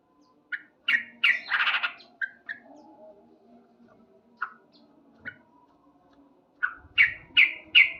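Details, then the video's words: Male yellow-vented bulbul singing loudly in the morning: short bursts of chirpy notes with quiet gaps, a dense run near the start and a quick series of bright notes at the end. "Terapi Burung Trucuk Gacor"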